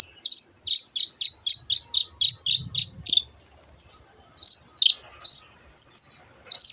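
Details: Long-tailed shrike song full of borrowed canary and other bird phrases: a rapid evenly spaced run of high doubled chips, around four per second, then a pause and scattered slurred whistles and chips.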